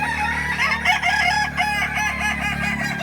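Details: Kukuak balenggek rooster at a crowing contest in Ampang Kualo, Solok, May 2024, holding a long rolling crow with rapid wavering undulations throughout, a constant low hum beneath.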